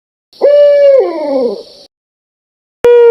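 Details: A single loud barred owl wail: a steady hoot that bends into a long, falling, rough-edged slur. After a short gap a second hoot begins.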